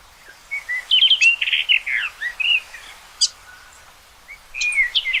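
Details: Rapid, jumbled warbling from a common rock thrush: dense chattering phrases of mixed whistles and scratchy notes, a brief pause, then a short closing flourish of sliding whistles.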